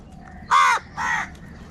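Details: Crow giving two loud, harsh caws in quick succession, the first stronger and slightly longer, the second a shorter rasping echo, over a quiet background.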